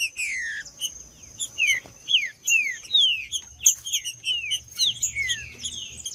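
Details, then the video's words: Green-winged saltator in male fighting mode, giving a string of clear, loud whistles that each sweep downward, spaced about half a second apart, with high chirps interleaved and a steady faint whine. "Melhor Trinca-ferro Macheando 🔥Trinca ferro cantando 🔥 Esquentar Trinca ferro Trinca-ferro Macheando"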